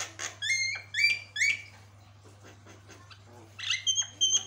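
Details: Javan myna singing vigorously, its song said to make other mynas answer back; clear upslurred whistles in groups of three, quieter chatter, then more bright whistled notes, with a constant low hum.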